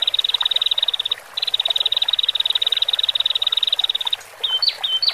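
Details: Male and female Horsfield's bush larks in song, meant to help freshly separated cage birds relax: a long, fast, steady high trill broken by one brief pause, ending in a few sharp slurred whistles.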